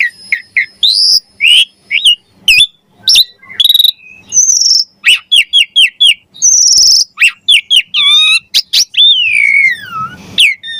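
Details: Varied, energetic song of a Javan pied starling, 'gacor mompa' style with rich fills, for songbird training and starling lures: mixed whistles, sharp chirps, squeaky trills and a long falling whistle near the end, delivered in rapid, irregular bursts.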